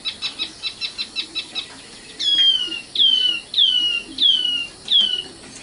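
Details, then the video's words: Singing common nightingale, known as sikatan londo: about eight quick, evenly spaced soft notes, then five loud, long, descending whistles, each starting sharply and fading down. "kicau burung sikatan londo"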